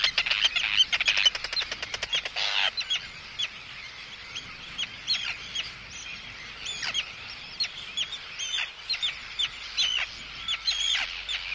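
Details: Arctic tern reacting to an intruder: a dense rapid rattle for the first few seconds, then scattered thin, high scratchy calls, fainter and spaced out.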